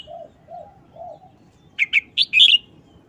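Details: Red-whiskered bulbul showing a short, fast wild-style song: a burst of four or five clear, quick whistled notes near the end, after soft low dove-like coos repeated three times.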